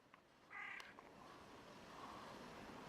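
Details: A great egret (Ardea alba) gives a single short, harsh croak, rough and grating, over a steady outdoor hiss of wind or distant noise.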